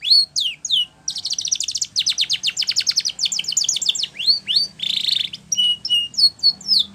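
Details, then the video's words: Spanish Timbrado canary singing a training song: rapid trills of descending sweeps, a buzzy metallic rattle near the end, and clipped rising whistles, loud and clear with no other sounds. "Canary's Most Powerful Song For Training"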